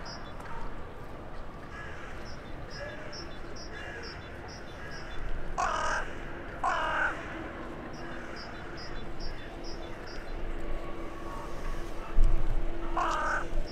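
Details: Evening calls from a crow that lives in the town centre, exchanging with incoming crows for the night, 23 January 2021: a pair of hoarse caws, then a third after a pause, amid steady high pips and low rumble.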